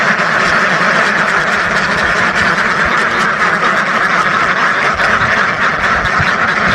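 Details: Continuous loud quacking of a flock of thousands of ducks, countless rough calls overlapping into a dense chattering roar.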